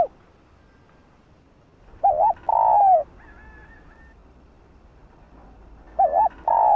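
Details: Spotted dove female calling a male: two phrases of a quavering double coo running into a long, low, sliding hoot. A faint, higher, thin drawn call is heard between them.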